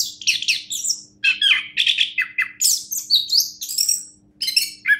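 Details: Champion orange-headed thrush singing a fast, varied run of high chirps, trills and short whistled notes in bursts, with brief pauses between phrases and a faint steady low hum underneath.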